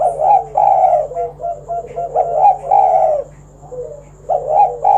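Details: Spotted dove, a vocal bird whose calling is used to lure other doves into singing, gives low, throaty cooing phrases of several hoarse, slightly rising-then-falling notes in near-continuous series, with short pauses, in a quiet indoor setting.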